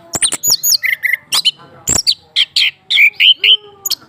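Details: Orange-headed thrush, a caged male prompted to sing by a female under his cage: sharp clicks, then a series of pure ringing whistles with a lower sustained whistle near the end.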